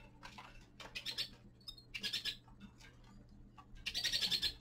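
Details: Winter song of a young male common linnet, short buzzy twitter phrases repeating in irregular bursts with brief gaps, ending in a louder, denser chattering run.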